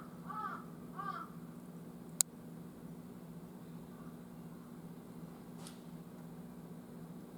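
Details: Jungle crow outdoors on an October late morning giving two hoarse caws in quick succession, then a sharp click and a low steady hum with a faint distant sound.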